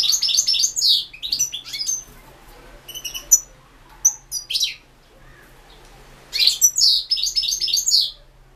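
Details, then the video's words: European goldfinch singing an entry in the 2016 internet World Championship in Goldfinch Song, Carduelis Balcanica; bursts of high, tinkling twittered phrases broken by short silent pauses, with a faint low hum beneath. "World championship in Goldfinch Song"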